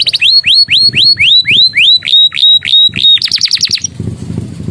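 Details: Canary song filled with Javan tesia and bar-winged prinia phrases: a dozen loud, rising whistled sweeps repeated about three times a second, then a brief fast chatter, ending in soft background noise.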